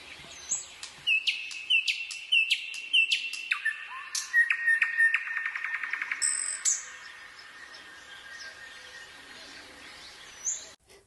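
A common nightingale sings loud, ringing phrases: a few slurred whistles repeated about twice a second, then a fast, rattling trill and higher piping notes.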